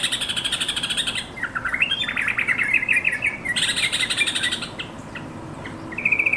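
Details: Yellow-vented bulbul calling companions, used to prompt caged bulbuls to sing; bursts of rapid chattering notes alternate with bubbly descending phrases, a short whistled note near the end.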